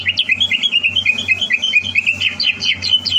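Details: Greater green leafbird caged and prepared for a singing contest, 30 November 2022; an unbroken rapid warble of high, bouncing whistled notes, several per second, steady and energetic, with a soft pulsing hum underneath.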